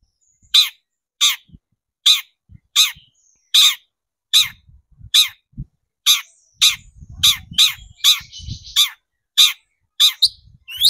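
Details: Long-tailed shrike (cendet) lure recording to stir shrikes into singing: a long steady run of about sixteen harsh rasping squawks, roughly every two-thirds of a second, with a buzzy trill midway and low rumbling background.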